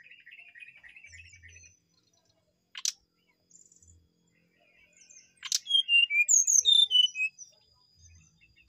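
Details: A brown-chested jungle flycatcher, a female in full song, sings a bright, rapid run of clear whistled notes, falling and rising, after softer chattering and a few sharp clicks.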